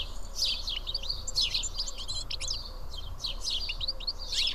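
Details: A flock of house sparrows sitting and feeding together in Karyotissa, Greece, chirping with overlapping bright, sharp cheeps in quick bursts every second or so over a low background rumble; House sparrow.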